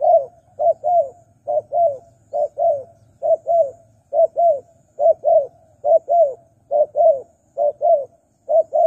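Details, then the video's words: Spotted dove call used as a lure for wild doves: a brisk run of paired, hoarse low coos, about ten pairs in nine seconds at a steady pace, with a faint low hum beneath. "Pikat Tekukur Burung Liar Kurang Galak"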